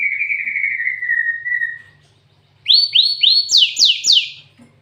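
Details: Cinereous tit (gelatik watu) with canary fill: a long, slowly falling rolled trill, then a pause, then five loud down-slurred whistles climbing in pitch from one to the next.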